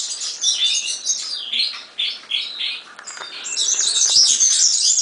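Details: A European serin sings short bursts of thin, glassy twittering, pausing briefly between phrases, then launches into a longer, louder, sizzling jingle at the end.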